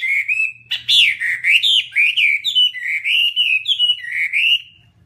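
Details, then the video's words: Chinese hwamei singing a continuous run of loud, clear whistled phrases that slide up and down, rich and fluid, with barely a pause between notes for about four and a half seconds before stopping. "Garrulax canorus/ Birds singing"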